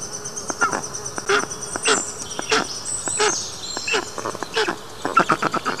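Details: Black stork chicks in a nest watched by a round-the-clock camera, the youngest chick calling; the chicks begin screaming as the father flies away. Rapid rasping, buzzy calls repeated irregularly, several short bursts each second.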